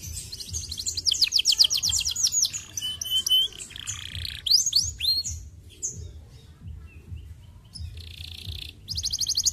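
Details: Canary song, played to stimulate canaries to sing: bursts of rapid rolling trills and swooping whistles, separated by quieter stretches, with a buzzy trill returning at the close.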